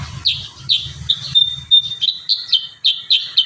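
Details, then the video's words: Kurincang singing energetically with varied fill, recorded for training other birds: high, slightly buzzy chirps repeated about three times a second, broken by a short pure whistle, over a faint low hum. "Masteran terbaru burung kurincang gacor isian"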